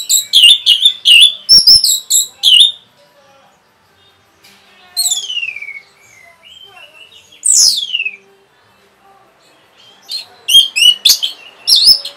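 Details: Orange-headed thrush singing a rapid song meant to provoke other birds: bursts of quick, sharp chipping notes alternate with long, sweeping whistles that slide downward, separated by short pauses.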